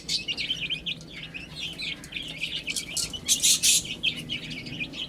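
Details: Many baby chicks eating and drinking, chirping in rapid high peeps that run together, broken by a couple of loud clattering bursts partway through.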